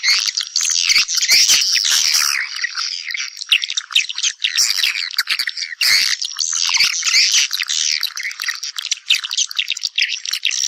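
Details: Long stretch of swiftlets calling others back to nest: continuous crowded twittering, buzzy trills and sharp clicks, loud and unbroken.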